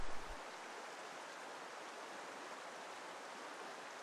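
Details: Steady rushing of a stream or small waterfall, a broad even hiss with no animal voices.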